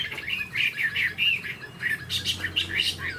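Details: Caged Chinese hwamei, tame, tail fanned, flaunting its wings eagle-style, sings a burst of short warbled whistles followed by sharper, brighter notes repeated in quick succession.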